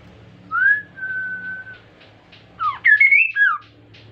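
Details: An insect-eating Kaso-kaso bird sings briskly, its song used as a lure to set other birds singing. It gives a rising whistle into a long steady whistled note, then a quick looping phrase of slurred whistles with a low background hum.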